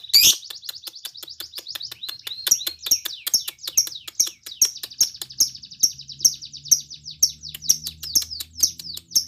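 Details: Lovebird pouring out continuous high chattering song, quick twittering chirps packed closely together, played to prompt other lovebirds to join in singing.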